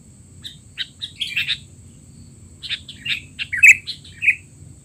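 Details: Young bulbuls' training sound of an excited sooty-headed bulbul: soft scattered chirps building to clustered slurred notes and a louder bright whistle near the end, all over a thin continuous high whine.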